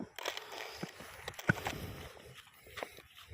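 Crunching and rustling handling noises with a few faint clicks, and no clear animal calls.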